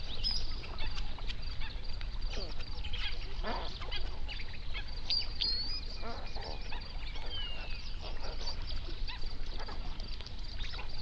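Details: Hundreds of flamingos on a national park lake in South Africa's Overberg region, recorded binaurally at sunrise. Overlapping honks and short grunting calls form a steady, crowded chorus with a low background hum throughout.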